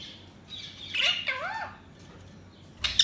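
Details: Budgerigar sounds: soft high chatter, then a burst of scratchy chirps with lower curving warbled notes, and a short harsh chirp at the close.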